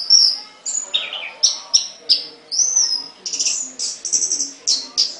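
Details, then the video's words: Songbird kept in a cage giving a rhythmic series of high, sharp whistled notes roughly every third of a second, ending in quick buzzy trills. "Burung Kicau The voice of a bird, (Suara burung), Burung kicau, Burung Sangkar"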